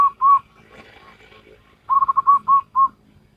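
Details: Salendro-style song of a local wild zebra dove: two drawn-out coos, a quiet pause with faint background murmur, then a fast stuttering run of soft whistled notes closing with two longer coos.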